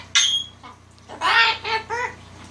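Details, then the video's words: Pet cockatoo indoors, being vocal and having fun by barking, laughing and teasing: a sharp high squawk, then a pause, then three harsh, harmonic bark-like bursts in quick succession. "having a little fun barking, laughing and teasing"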